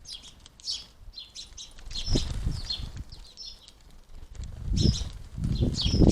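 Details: Close-range house sparrows at a garden feeder, giving bursts of sharp, high cheeping chirps in loose clusters, mixed with fluttering wings and knocking from the feeder.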